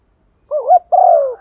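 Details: Female dove cooing to call a male, used as a lure bird: two low mellow coo phrases, the first wavering, the second a long smooth falling note, in quiet surroundings.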